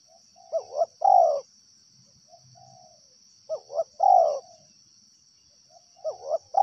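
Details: Three phrases from a wild spotted dove, each a pair of brief notes followed by a longer downward-sliding coo, about three seconds apart. A faint low murmur and a steady high tone sound in the background.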